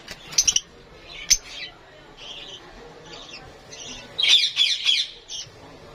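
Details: Lovebirds in Lahore chatter with sharp, high squeaks and scratchy squawks, scattered at first and then a dense run of excited calls.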